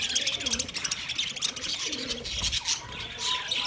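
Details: Budgies twittering in a busy, high-pitched chorus of rapid chirps and squeaks, with faint lower warbled notes mixed in.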